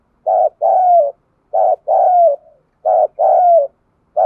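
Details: Spotted dove kept as a decoy, cooing vigorously to provoke wild doves; loud, mellow low coos in three phrases, each a short note followed by a longer drawn-out coo falling at the end, repeated about every 1.3 seconds, with clean silence between.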